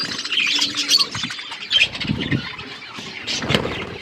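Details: Budgies feeding, with busy high chirps and brief squeals in the opening seconds, then quieter twittering broken by low pecking and rustling sounds.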